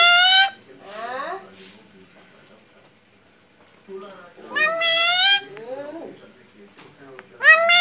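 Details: Talking Alexandrine parakeet saying mummy indoors: three loud, nasal, harmonic cries spaced several seconds apart, each followed by softer swooping syllables.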